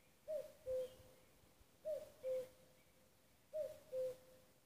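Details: Common cuckoo at Nuuksio, Finland, recorded 6 May 2015, giving three evenly spaced cu-coo calls, each a short higher note sliding down into a lower, longer hooting note.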